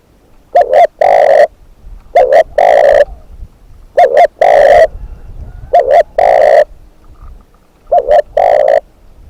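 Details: A spotted dove used as a decoy repeats its cooing phrase five times, each a quick double coo then a long, level, resonant note, spaced about two seconds apart in a quiet setting.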